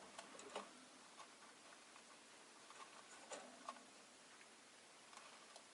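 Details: Quiet room with soft scattered ticks and clicks, like a clock, and no voices.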